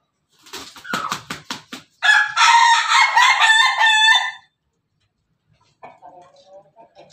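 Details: Pelung chicken, a Bangkok-type Pelung rooster, crowing: a run of sharp clucks speeds up, then one long, loud, rich crow of over two seconds wavers in pitch before fading, followed by quiet clucking.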